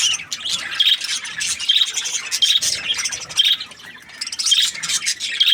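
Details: Cheerful budgie chirping, high rasping chatter broken by short clear whistled pips that recur roughly every second, with a quieter patch midway before the lively twittering picks up again.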